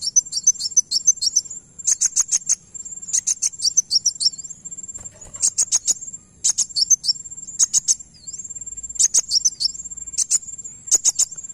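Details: Van Hasselt's sunbird song, used to prompt another bird to reply: repeated clusters of sharp, very high-pitched ticking notes delivered in fast runs with brief gaps, over a constant thin high tone.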